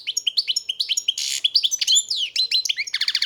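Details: European goldfinch song, one bird, close and clear: rapid liquid twittering of high, bright notes, a buzzy rasping burst, then tinkling trills, all running without a pause.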